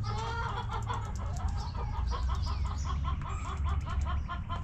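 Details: Backyard chickens in their coop: hens give steady, evenly spaced clucks, short and throaty, a few per second, with faint high chirps of wild birds in the background.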